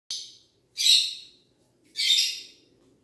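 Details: A pet parrot, possibly an Alexandrine parakeet, gives three loud, raspy screeches, each about half a second long, spaced roughly a second apart, with quiet in between.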